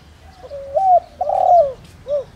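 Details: Decoy spotted dove with a "đồng rặc" voice, cooing to lure wild doves: a low short coo, a level hooting note, a long loud coo sliding down, then a brief clipped final hoot. Faint high chirps behind.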